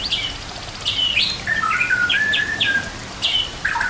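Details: Training song of a white-rumped shama, with nature sounds and trickling water: sliding whistles, several sharp high flicks, level sustained notes, and a falling final phrase.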